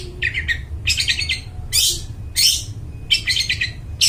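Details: Long-tailed shrike giving a loud, clear song described as suited to luring wild birds in the forest: harsh chattering bursts and rapid scratchy trills in phrases about every half second, with a low rumbling hum behind.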